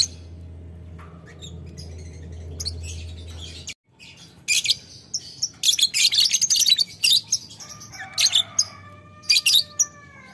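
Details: Lovebird giving long ngetik ngekek chatter toward a rival: after a low hum and near silence, a dense stream of scratchy, high ticking notes builds up, with a brief whistled tonal note mixed in.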